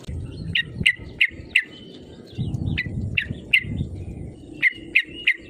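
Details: Yellow-vented bulbul calling to lure rival birds into singing; bright, sharp chirps, often in quick pairs or threes, spaced irregularly over a low rumbling background.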